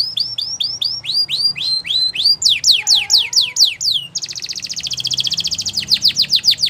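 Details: Belgian canary song with repeated hooked whistles, a series of loud downward sweeps, then a rapid high buzzing trill and more falling notes at a steady quick pace.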